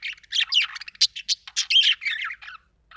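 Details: A budgerigar gives a quick series of sharp squeaky chirps and harsh short squawks, tightly spaced over two and a half seconds before falling quiet.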